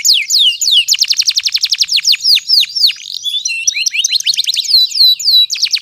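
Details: Loud canary song for coaxing non-singing canaries and tutoring young birds two to four months old: rapid repeated downsweeping notes, a buzzy trilled passage, then slower curving whistles.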